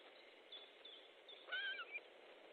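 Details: Osprey calling at its nest in Estonia on 14 July 2014, midday, while a fish is delivered. Faint whistles build to a clear, slightly falling whistled phrase with a short echoing note after it.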